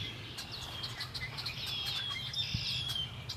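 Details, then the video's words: Lakeside birdsong at Lake Erie: a rapid run of high thin whistles and slurred notes, with soft chirps behind and a low background hum. "Birds singing by Lake Erie"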